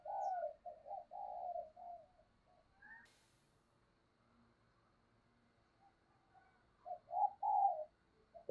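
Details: Lure spotted dove, kept to attract wild doves, cooing at a distance over faint background hum: a series of muffled mellow coos at the start, a quiet gap, then more coos near the end.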